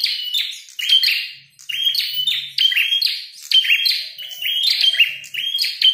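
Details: Agitated red-headed prenjak, fighting and singing at full volume: quick series of whistled notes sliding into buzzy, clipped chatter, phrases tumbling one after another with little break.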